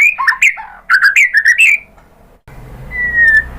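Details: White-rumped shama song used to provoke captive birds into singing: loud whistled phrases with sliding notes, a short burst of rapid notes, then a pause and a single long clear whistle over background hiss.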